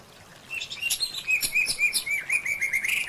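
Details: White-rumped shama in a training recording for caged birds, giving a rich 'full isian' song: a run of quick, bright chirps and short whistled notes, repeated several times a second, with no other clear sounds.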